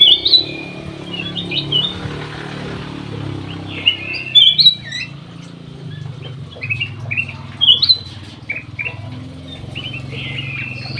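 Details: Ruby-throated bulbul kept in an aviary, singing actively: a short bright whistled phrase returns roughly every three to four seconds, with scattered chirps from other birds between phrases over a steady low hum.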